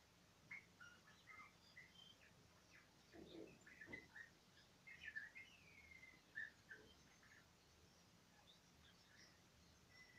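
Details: A fieldfare singing quietly: soft, scattered, squeaky whistled notes and short chattering phrases, uneven in timing, heard faintly against a still, hushed background.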